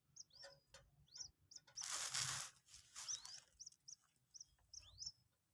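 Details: A two-day-old Common Moorhen chick being trained to eat feed pellets calls with short, piercing, upward-curving peeps, with a loud rustling burst partway through.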